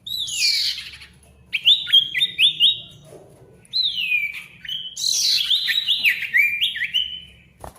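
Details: Noisy Ashy tailorbird singing, played so silent tailorbirds start again: a buzzy opening, then runs of rapid descending whistled notes in three bursts separated by short pauses.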